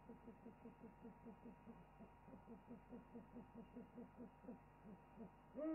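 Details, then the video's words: Owls at the Africam potted plant owl webcam hoot together in a chorus, a steady run of short, low, soft hoots about three per second, ending with a sharper rising note; afterwards the owl preens and settles down. "an owl chorus"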